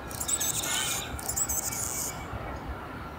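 Anna's hummingbird singing two scratchy, buzzy bursts of very high squeaks, each about a second long, then only faint background hiss.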